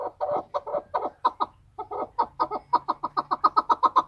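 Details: Clucking series from an excited male chukar, Tajikistan, 2020. Hard repeated chuck notes come in quick succession, break off briefly, then resume faster and louder toward the end.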